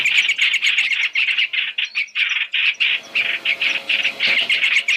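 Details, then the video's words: Chinese hwamei, a three-in-one lure recording used for trapping: dense, harsh, scratchy chattering notes repeated about four times a second, with a few short breaks between bursts. "Tiếng chim hoành hoạch (trao trảo) mồi 3 trong 1 chuẩn để bẫy"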